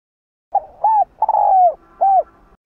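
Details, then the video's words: Spotted dove cooing to rouse other doves into calling. One phrase of four parts: a brief opening note, a rounded coo, a drawn-out coo falling in pitch, and a final rounded coo, in quiet surroundings. "Chim cu gáy kích bổi nhanh nổi/kích bổi/kích mồi gáy cả ngày"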